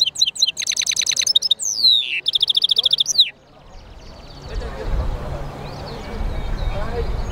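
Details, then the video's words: European goldfinch mule, a hybrid called jilguero mixto, singing: fast bursts of bright high twittering, slurred whistles and rapid buzzy trills for about three seconds, then the song stops and low background rumble and faint noise follow. "European Goldfinch mule singing"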